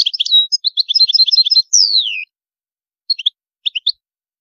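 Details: Goldfinch song in high phrases opens with rapid, liquid twittering, then a long whistled note sliding downward. After a silent gap come two small clusters of quick high chirps.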